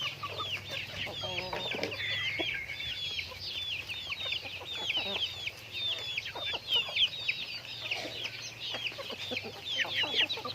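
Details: Chickens in daily activity, with rapid, repeated high chirps, each a short rising-falling note, several per second almost without pause. A lower, harmonic clucking burst comes early on, and a faint steady hum sits underneath.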